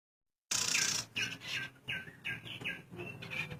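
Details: Male and female pin-striped tit-babbler pair singing: a series of short, clear notes repeated about every half second, with a steady faint background hum.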